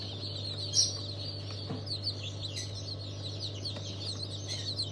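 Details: Newly hatched chickens of several breeds, including Fizan orange, gold, silver, Rahibe, Legbar and İspenç, hatched 27 March 2023: many chicks peeping together in a constant high chorus over a steady low hum.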